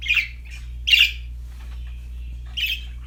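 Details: Pet budgie giving three harsh, buzzy squawk-like chirps, spaced unevenly about a second apart with quiet between them and a low steady hum beneath.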